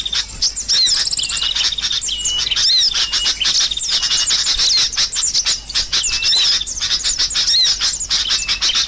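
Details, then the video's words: Restless sooty-headed bulbul chatter from a trapping lure recording: busy, continuous high-pitched chirping and sharp slurred whistles, many notes overlapping without pause throughout. "Suara Burung Kutilang Ribut"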